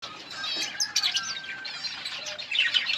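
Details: Budgerigars chirping together in a colony while eating; dense overlapping high warbling chatter and short whistled notes from many birds at once.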